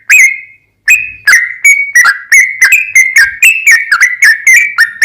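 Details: Lure song of a sooty-headed bulbul, sung in a busy, long-running 'ropel' style: one drawn-out whistle, a short gap, then a string of quick, liquid notes with slurred downward twists.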